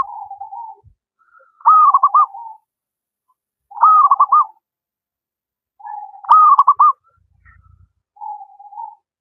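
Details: Local wild zebra dove, singing often, suited as a master song for reluctant singers: soft low coos alternate with three louder phrases of a held note and choppy rolling pulses, about two seconds apart.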